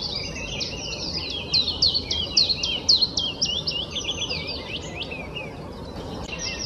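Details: Wood warbler singing energetically, a quick run of high downslurred notes, roughly two per second, blurring into a busier, jumbled twitter before trailing off.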